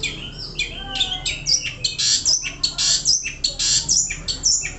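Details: Long-tailed shrike, a contest songbird called a champion of hanging-cage singing contests, pouring out a dense, rasping, continuous high warble with squeaky whistled slides and buzzy chatter, barely pausing; steady low hum in the background.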